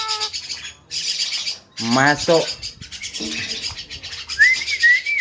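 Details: Mimicking Javan myna, described as able to cough, laugh and copy guitar sounds, utters a loud ladder-like harmonic sweep rising then falling, softer buzzy notes, and a thin high whistle near the end, with human greetings around it.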